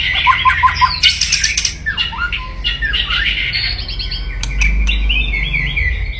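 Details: Murai batu, the white-rumped shama, in fierce kretekan crackling meant to provoke opponents: rapid chattering notes, harsh broadband rasps and squawks, then scratchy warbling, with a constant low background hum.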